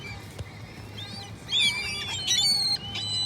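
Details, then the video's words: A few gull cries stand out: a rising and falling wail, then sharp squawks, over a faint low hum. "Seagull noises"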